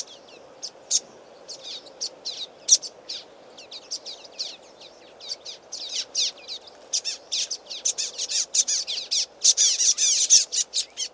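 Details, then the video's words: A flock of common waxbills giving loud, excited calls from a reed bed along a stream, a rapid overlapping stream of high, thin chips and twittering notes growing denser and busier, over a soft low background hum. "Common Waxbills calling"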